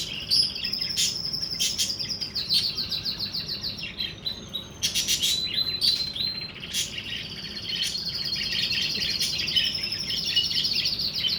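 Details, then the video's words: Budgerigars during mating, keeping up a dense high warbling chatter of rapid chirps and buzzy notes throughout, with louder bursts of clicks and squawky notes. "تزاوج طيور البادجي"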